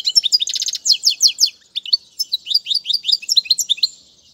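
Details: European goldfinch song used for tutoring young birds, from a recording featuring Tiwawati, Mandolin, Casta Casta and Sarfati styles: rapid high twittering of buzzy trills and quick rising slurred notes, with a short pause near the middle.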